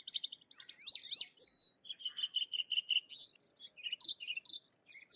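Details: Sykes's lark in continuous song: sweeping slurred notes, a run of even repeated chirps, then varied twittering phrases, all high and bright.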